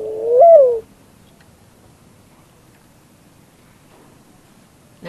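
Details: A dove gives one soft, hollow coo that swells and then falls away, followed by near silence and the start of another call at the very end, which another bird answers.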